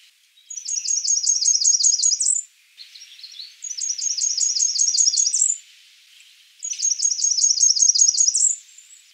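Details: Three evenly spaced phrases from a Blackburnian warbler, each about two seconds of rapid, sibilant, very high repeated notes finishing with an upward slur, separated by near silence.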